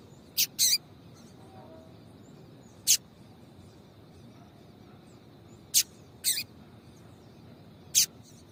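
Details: Female papa-capim seedeater piado meant to make males sing: scattered short high chips, some single and some in quick pairs, about seven notes at uneven intervals over faint hiss.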